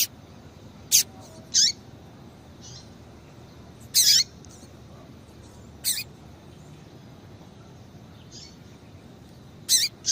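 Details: Female double-collared seedeater calling to excite males into singing: short, bright, high chirps in brief bursts, one every one to two seconds, some doubled, against a quiet background.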